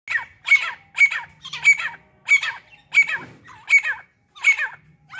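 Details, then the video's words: Partridge pair, male and female, with a hunting decoy female in an excited mood: loud, harsh, buzzy call notes with a looping downward twist, repeated about twice a second over a faint low hum. "تیتر جوڑا اور شکاری مادی مستی میں"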